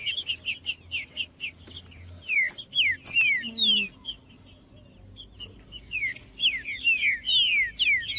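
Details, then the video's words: Energetic trinca-ferro song meant to warm up a silent bird: dense runs of bright, downward-slurred whistles in rapid bursts, a short pause midway, then more fast phrases, with a thin steady high tone behind. "ESQUENTE SEU TRINCA FERRO FRIO !! MELHOR VÍDEO PARA ESQUENTAR TRINCA FERRO COM TRINCA FERRO CANTANDO"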